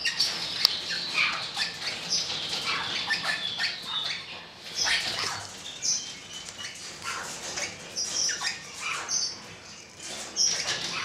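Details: Golden-mantled rosella, 2013: a long stretch of busy, high-pitched chattering and squawks with short piping notes mixed in, uneven bursts rising and falling in loudness throughout.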